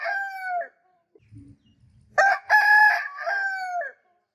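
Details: A rooster crows twice in quick succession. The first crow ends in a long, level tail, then a short gap holds faint low clucks. A full, loud, broken crow follows, its last syllable stretched and slightly falling.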